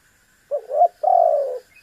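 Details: Spotted dove coo used to provoke a rival into calling: a short low coo, then a brief pause and a longer, steady, slightly sinking purring coo. No other sounds.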